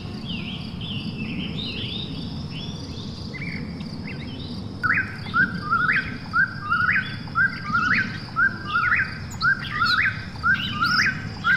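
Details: Night recording of an Eastern whip-poor-will: after a few seconds of softer mixed chirping, the rhythmic whistled phrase begins and repeats about once a second over a low steady hum.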